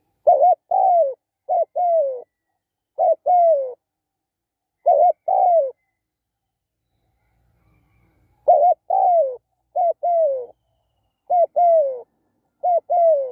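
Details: Spotted dove in a decoy-luring session for wild doves, sixth catch: paired coos, short then drawn-out and falling, repeated in bursts with a long silent gap midway, otherwise quiet.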